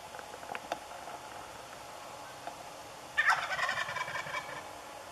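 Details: Jake wild turkey calling in the morning woods of New Brunswick, Canada, during a hunt: after faint ticks, a sudden loud gobble erupts as a fast, rolling, quavering burst of notes fading over about a second and a half, with background hiss.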